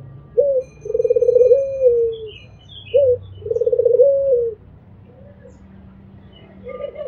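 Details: Albino Barbary dove giving repeated coos, each a brief rising note followed by a long purring, trembling coo that falls away, twice in a row; soft chirping of other birds and a faint low hum behind.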